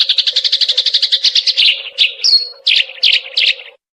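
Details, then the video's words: Eurasian tree sparrow song used for training songbirds: fast, evenly spaced chirps repeated rapidly, then slower, longer buzzy chirp notes and a brief clear whistle, with a faint steady low tone underneath. "masteran burung gereja"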